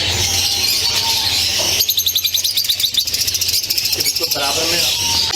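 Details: Lovebirds at a breeding farm holding 1000 pairs: dense, high squeaky chatter from many birds, with sharp repeated chirps and trills rising above the din, while a man talks over the flock throughout.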